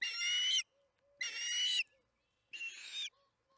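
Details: Nest camera at Charlo captures an osprey during evening feeding, June 21, 2019, 8:15 pm MDT: three drawn-out, strained whistled squeals, each about half a second, spaced roughly a second apart.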